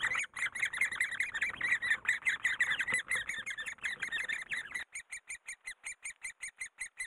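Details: Great spotted woodpecker in Korea while raising young: dense overlapping, squeaky calls for about five seconds, then single sharp calls repeated evenly, roughly two to three per second, each with a bright high overtone.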